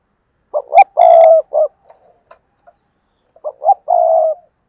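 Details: Decoy spotted dove cooing to lure wild doves, delivering two low, hoarse phrases of short clipped notes and a longer rolling purr, with faint ticking sounds in the gap.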